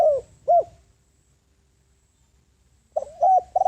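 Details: Spotted dove acting as a ground decoy to lure wild doves: the tail of one cooing phrase with a falling coo and short hoot, silence, then the next phrase beginning with soft repeated coos.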